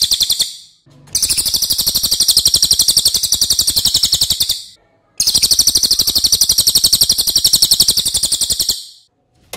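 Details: A Velvet-fronted Nuthatch, kept as a songbird and used as a master recording, gives two long, loud, very high, rapid chattering trills of about three and a half seconds each, separated by a short pause.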